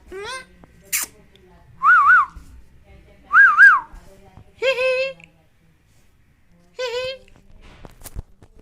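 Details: Indian ringneck parakeet talking and whistling: mixed short nasal speech-like syllables and two loud wavering double-hump whistles, separated by pauses, with a sharp click near the end and a quiet background.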